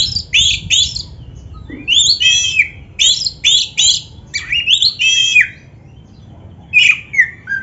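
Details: Kacer dada hitam, the black-breasted Oriental magpie-robin, in 'gacor' singing for caged-bird training: sharp rising whistles and buzzy bars in quick groups, a short pause, then a final drawn-out slurred note.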